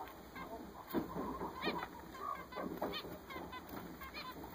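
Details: Newly acquired zebra finches calling together: clipped nasal honking notes, some louder bursts, given unevenly by several birds against low background noise.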